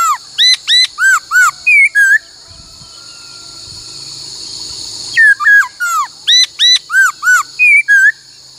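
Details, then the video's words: Laughingthrush song used for voice training, rapid series of arched whistled notes repeated about three per second in two bursts separated by a pause, with a steady high electronic hum. "Luyện khướu hót bắt cô trói cột , luyện hót nhiều giọng cực hay"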